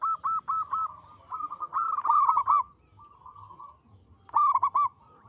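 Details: A prolific local zebra dove sings loud, evenly spaced cooing notes in a long phrase with an accented end. A softer trill follows, then another emphatic burst.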